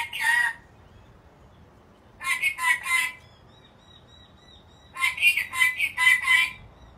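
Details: An angry Black-capped lory gives harsh, grating screeches in three bouts: a single short burst, then a quick triple burst, then a longer run of about five rapid rasping notes, with a faint thin tone between bouts.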